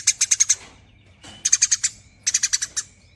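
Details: Three short bursts of rapid, high, dry chirps from a Eurasian tree sparrow giving nyerecet chatter, each burst about half a second, separated by quiet pauses.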